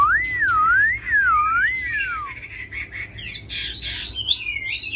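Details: Tame Chinese hwamei, kept as a fighting and singing bird, opens with pure, looping whistles rising and falling slowly, then switches to higher, quicker sweeping notes and chirps.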